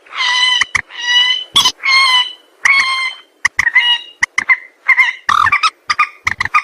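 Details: White-breasted waterhen calls used as a lure for trapping birds: loud, harsh, nasal repeated notes in bursts with sharp clicks, strongly harmonic and croaking, some notes drawn out, others clipped.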